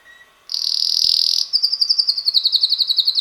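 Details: Young red male canary, roughly six months old, in song: a brief faint note, then a loud sustained buzzy high roll, breaking into a quick series of repeated pulsed chirps.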